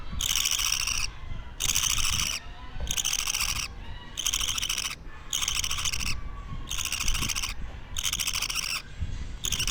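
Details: Raspy buzzing calls from a two-week-old budgerigar chick, a pet bird: about seven harsh, even bursts, each near one second, spaced by short silences in a steady rhythm, soft low background hum.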